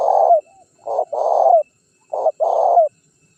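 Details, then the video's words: Lure call of a spotted dove used to draw wild birds and rivals into answering and approaching: low, mellow coos in short rhythmic phrases, each phrase ending in a slight downward slur. "Suara Pikat Terkukur Gacor Juara 1 Untuk Pancingan Cepat Bunyi"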